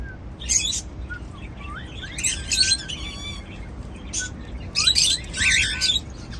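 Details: Cockatiels eating seeds sing busy, rasping warbles mixed with clear rising whistles and one buzzy, ringing note, arriving in bursts separated by short quiet gaps.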